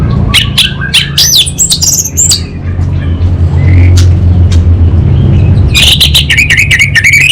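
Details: Orange-headed thrush of the Anis Bata type giving harsh squawky notes and whistles, a quieter stretch, then a fast run of rhythmic pulsed whistles, over steady low rumble.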